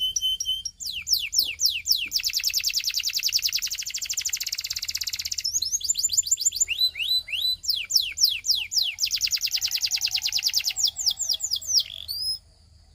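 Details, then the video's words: Belgian singing canary repeating a pattern twice: crisp falling whistles building into a long, loud, buzzing high trill, then scattered chirps, with a final soft whistle. "A Special Canary to Seduce All The Canaries - The Belgian Singing Canary"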